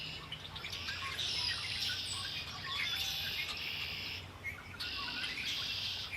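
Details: Birdsong by the shore of Lake Erie, with high buzzy trilled phrases in long bursts and scattered short chirps between them. A faint low hum of environmental noise runs throughout.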